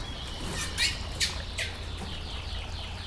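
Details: Calling female curió, or Chestnut-bellied seed finch, used to excite a male bird: three short, bright chips about every half second, with softer notes trailing after them against a constant waterfall roar.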